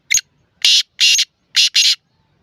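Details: Black francolin (kala teetar) giving a harsh rasping call: a short click followed by four loud grating notes in uneven pairs, delivered within about two seconds against a quiet background.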